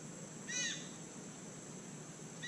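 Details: A White-throated Magpie-Jay eating palm fruit in Costa Rica gives a brief, ringing, harmonic call, and a second call begins at the very end. A steady high insect hiss continues throughout.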